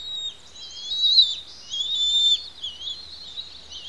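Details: Bald Eagle eaglets on their Santa Cruz Island nest at Pelican Harbor squealing during a feeding; a few high whistled cries with wavering pitch, softer in the second half.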